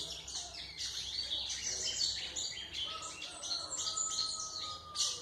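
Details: White-throated seedeater song, used for training young birds: a dense, continuous run of high twittering and buzzy chirps, with brief whistled notes and a faint low tone underneath.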